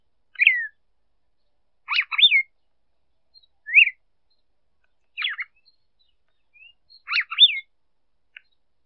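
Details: Female red-cowled cardinal song for stimulating a male: about six brief phrases of slurred, rising-then-falling whistles and clipped notes, some in quick pairs, at intervals of one to two seconds, with clean silence between.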